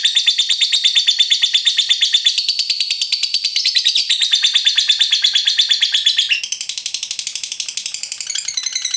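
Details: Lovebird in long 'ngekek panjang' chattering song, used as a lure to get other lovebirds singing: a fast, unbroken, high scratchy trill of about three notes per second, running nine seconds with a slight shift in tone near the end.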